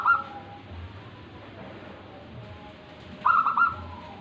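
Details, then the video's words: Tame local zebra dove in song: a clipped cooing phrase at the start, then after a pause another run of rapid, rounded staccato hoots with a soft trailing note, amid low rumbling background noise. "perkutut lokal manggung jinak"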